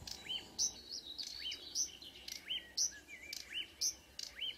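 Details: Song of marsh warbler at 5 a.m., 2 June 2009, Kråkstad near Ski, Norway; alternating very high bright notes and lower curved chirps roughly once a second, with a short rising trill between.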